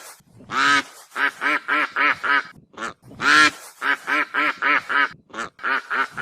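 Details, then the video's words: Geese honking: two long, loud, harsh honks, each followed by a run of five or six shorter nasal honks in quick succession, rising and falling in bursts. "som de ganso grasnando - sons de gansos"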